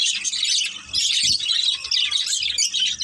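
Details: A family of budgerigars chatters while playing, giving a bright, crowded stream of high chirps and fluttering warbles, with a short lull near the start and a few low knocks.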